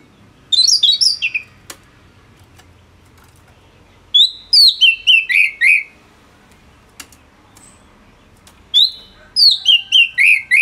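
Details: Orange-headed thrush, a kept bird in full, dense song, used to tutor other songbirds: three bursts of rapid, varied whistled and chattering phrases, each descending in pitch, separated by pauses of about three seconds, with faint clicks between.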